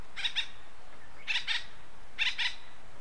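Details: Acorn woodpecker calling in western North America: three harsh, raspy bursts about a second apart, each a quick doubled or tripled nasal note, over a steady low background hiss.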